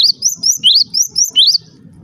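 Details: ['Java sparrow giving about seven high, upslurred chirps in quick succession, a sound said to make other Java sparrows start calling, ending in a low hum.']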